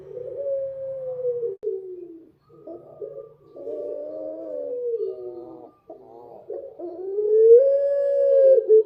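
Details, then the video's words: Dove cooing at night, with low, slightly falling drawn notes broken by short rough grunting phrases, ending on a louder sustained coo. "suara burung puter malam hari//midnight show singing bird dove"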